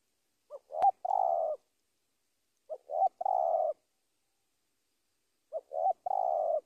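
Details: Spotted dove calling a rival, repeating a three-part phrase three times about every two and a half seconds: two quick rising coos and a longer purring croo. One sharp click is heard.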